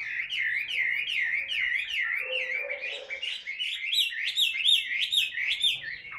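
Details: Chinese hwamei (Garrulax canorus), a fighting-type bird singing while held in the hand: a loud, rich run of looping, wavering whistles, about one phrase per second, rising into brighter, sharper notes toward the end.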